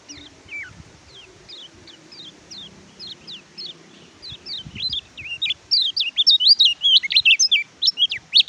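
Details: Oriental white-eye (kecial kuning) singing: begins with evenly spaced, high descending chirps, roughly one per second, then builds into a loud, rapid, jumbled twittering warble toward the end, on a quiet background.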